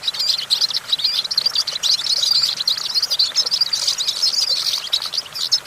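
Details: European goldfinch perched on a branch, giving a lively, unbroken twitter of high, tinkling notes mixed with scratchy trills, steady and fairly loud throughout.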